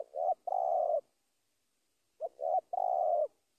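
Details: Spotted dove calling a rival in two phrases. Short coos lead into a long, rough, rolling croo, and the phrases are separated by over a second of quiet.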